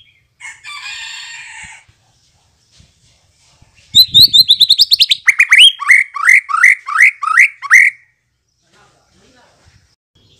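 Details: White-rumped shama song used as a lure to prompt birds to answer: a buzzy harsh note, a pause, then a fast high rattle leading into a long series of loud rising whistled upslurs.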